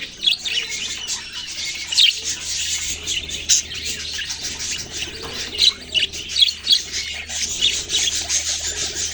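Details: Baby budgerigars chirping: a dense, continuous chorus of high, thin tweets and short twittering notes overlapping throughout, with a few louder sharp chirps standing out.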